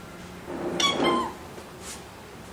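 An Alexandrine parakeet gives a single short, nasal, meow-like call that rises and falls over about half a second, in a quiet room.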